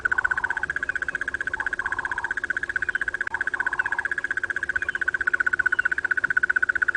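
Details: Crested barbet, a male, on a September morning at Djuma Game Reserve, South Africa, giving its long, steady, mid-pitched purring trill unbroken throughout, with a few softer low murmurs underneath.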